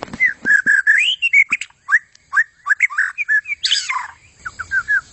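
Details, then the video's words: White-rumped shama in full 'gacor' song: continuous, mellow whistled phrases rising and falling, broken by buzzy harsh bursts and quick rattles. "Inilah aksi gacor super maut dari murai buntut panjang"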